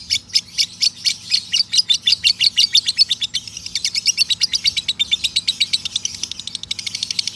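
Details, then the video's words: Male lovebird in an extended ngekek trill for tutoring birds: a long run of rapid scratchy chips, speeding up midway to a dense chatter, all high and harsh, lasting over seven seconds. "masteran lovebird jantan ngekek panjang"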